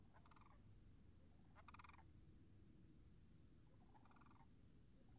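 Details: Sandhill cranes near frozen marsh wetlands on March 26, 2019, heard at a distance: three faint, rolling rattled calls spaced a couple of seconds apart, nearly buried under heavy low-frequency rumble and wind-like noise.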